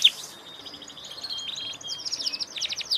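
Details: Canary in strong song, a fast run of high chirped notes and trills, quickening toward the end.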